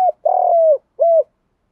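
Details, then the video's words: Male and female spotted doves cooing in 'thúc gù' field style for training birds: a brief coo, a drawn-out level coo, then a shorter closing coo, clean and silent in between. "Chim cu gáy giọng đồng THÚC GÙ cực căng"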